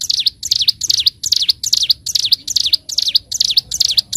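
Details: Master training recording of a bar-winged prinia in full 'gacor', 'ngebren' song: rapid chains of high, sweeping notes that dip and rise, more than two per second, clear and loud against near silence.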